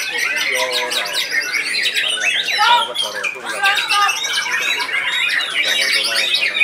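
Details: White-rumped shama performing in a murai batu contest class, singing continuously with sharp, biting bursts; harsh squawky notes mix with rising whistles and trills, other caged birds singing alongside.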